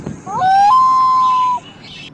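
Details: Common loon chick being fed fish by its parents gives a clear whistled call: a few quick rising notes, then one steady, pure whistle held for nearly a second.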